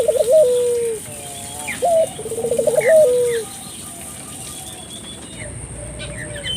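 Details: Spotted dove cooing to stimulate local doves: two low phrases of short note, quick tremolo and long drooping coo early on, then near quiet with faint distant bird chirps.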